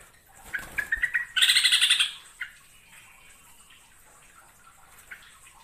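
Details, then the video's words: Hook-billed bulbul, a forest bird endemic to Borneo, singing: a short series of chattering notes leading into a loud, harsh, rapidly pulsed burst, then fainter scattered calls in the background. "Suara Kicauan Si Merbah Jambul"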